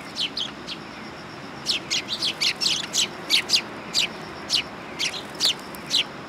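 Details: At a Tenmangu shrine on 3 September 2022, sparrows landing on a perching stand utter a steady stream of short, high chirps, irregularly spaced, several callers overlapping at times.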